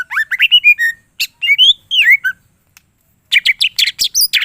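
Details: Greater green leafbird in energetic, varied song. Quick rising whistles and slurred phrases tumble together, a short pause follows, then a fast run of sharp, bright chattering notes climbing high. The background is quiet.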